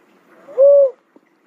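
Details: A single smooth, hollow coo from a cuckoo-dove, held briefly at an even low pitch and falling away at the end, in quiet surroundings.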